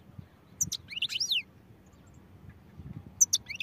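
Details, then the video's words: European goldfinch singing in quick bursts of high, tinkling twitters and sliding slurred notes, a busy phrase early on and a shorter one at the end, faint low background hum throughout. "goldfinch songs | goldfinch singing"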